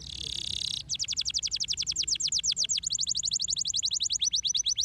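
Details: Singing canary for stimulating other canaries: a buzzy hiss opens, followed by long fast trills of high descending notes that shift pace and pitch in three tours.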